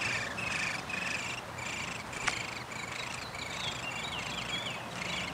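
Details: At a downy woodpecker nest during feeding on 20 May 2021, squeaky buzzy notes are given in irregular short bursts about twice a second, with one sharp click midway and steady background hiss.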